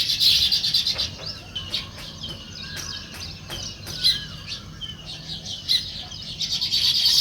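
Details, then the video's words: Morning chorus of sparrows: busy, irregular high chirps from several birds, short sharp notes tumbling over one another, with constant low environmental noise underneath. "Natural Sparrow Chirping Sounds"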